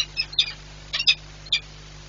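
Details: Peregrine falcon at a nest site in Płock, Poland, on 1 April 2022, giving short harsh, scratchy call notes in small bursts, two close together then a single one, over a steady low mechanical hum.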